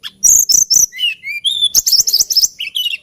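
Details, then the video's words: Hill blue flycatcher (tledekan gunung) song, its singing described as lilting: high thin whistled notes mixed with rapid buzzy chattering bursts and sweet falling whistles, delivered as a busy run of short phrases. "TLEDEKAN GUNUNG KICAU MERDU"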